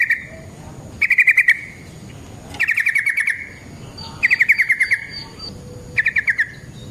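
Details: Sooty-headed bulbul in fighting song with long rolls, used to lure other bulbuls into singing. Five brief, fast-pulsed trills each last about half a second and recur roughly every one and a half seconds.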